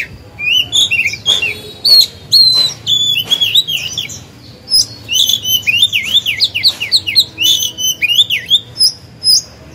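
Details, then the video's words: Caged oriental magpie-robin singing as a decoy to make other birds sing, delivering a long lively stream of sliding zigzag whistles and clicks, about two phrases a second. "Chòe than hót hay, luyện mồi, kích bổi"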